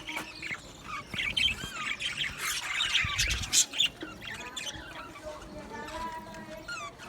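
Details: Male budgerigars on 8 December 2025 squawk and warble in rapid, grating bursts, growing loud midway, then softer rising chirps trail off toward the end.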